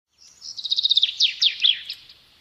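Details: Sparrow chirping: a quick series of high, bright chirps speeding into a stuttering trill, then a few louder sharp notes sliding downward, about two seconds in all, with clean, quiet surroundings.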